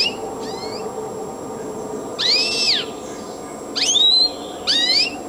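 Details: Song of a Siberian goldfinch, clear arched whistles and upward-sweeping twittery notes in three loud bursts, separated by quieter gaps with a constant faint hum underneath.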